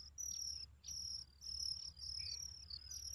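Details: Baby Oriental magpie-robins calling with shrill, high, drawn-out squeaks in a steady run of bursts roughly every half second, over a constant low background hum.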